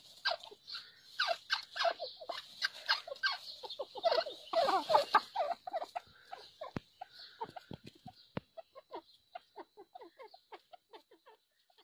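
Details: Grey francolin (teetar) calling in the breeding season, a mating call: a dense burst of harsh, overlapping notes for about six seconds, then a slowing series of short, sharp repeated notes that fade toward the end.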